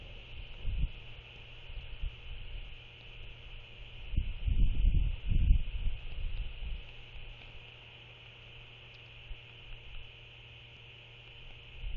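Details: Low wind rumble and buffeting, loudest around the middle, over a steady high electronic hum, with no animal calls.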